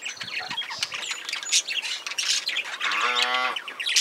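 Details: A cockatiel outdoors gives harsh squawks and bright chirps, with a buzzy, nasal note near the end.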